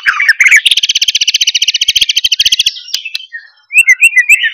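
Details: White-rumped shama, loud song with strong rattling notes used to provoke other shamas into singing; a rapid, even, buzzy rattle runs for about two seconds, then after a short pause come bright, quick whistled notes.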